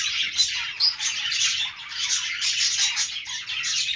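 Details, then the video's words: Budgerigars give dense, bubbling chatter, fast scratchy chirps and squeaky whistles tumbling over each other without pause. "budgies sounds | parakeet chirping sounds"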